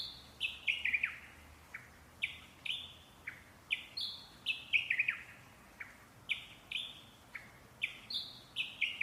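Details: Parrots singing: a steady series of short, high, bright chirps, many sliding downward, some doubled, coming about twice a second over a quiet, faint hiss.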